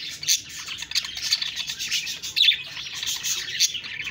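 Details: Budgies chirping and chattering: a dense, overlapping flock of high, scratchy twitters and short squeaky notes, with brief louder bursts around one and two and a half seconds.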